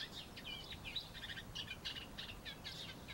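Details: Song of a Eurasian reed warbler perched in a laurel: rapid grating chirps and harsh chuckles strung together, with an occasional thin whistled note breaking the continuous rhythmic chatter.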